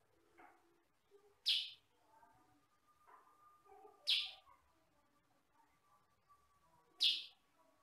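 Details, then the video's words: Sooty-headed bulbul (kutilang sutra), a master recording for teaching other birds, noted for one or two loud characteristic voice notes: single sharp, high chirps spaced about three seconds apart over soft low background murmur. "MASTERAN BURUNG KUTILANG SUTRA"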